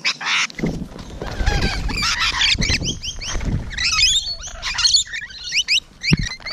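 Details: Close rainbow lorikeets on the morning of 12 June 2017 giving shrill, scratchy chatter and upslurred squeals, over low rumbling handling noise.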